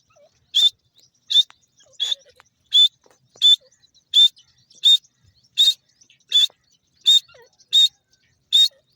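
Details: Grey francolin (dakhni teetar) during a fight: loud, harsh, ringing bursts with a steady tonal core, repeated about every 0.8 seconds, eleven in nine seconds, with soft chirps in the short gaps.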